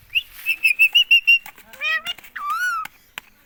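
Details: Caged pet ringneck parrot repeating "mummy" without stopping: a quick run of six bright, clipped tonal notes, then a pair of gliding voiced syllables and a long, smooth, falling-then-rising whistled sound, with sharp clicks.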